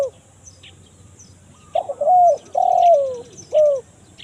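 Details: After a quiet start, a spotted dove gives one 'kuk 1 mersik' phrase, a recording used to lure wild doves in forest: gritty notes, a level coo, a long downward coo and a short final coo, with scattered high chirps.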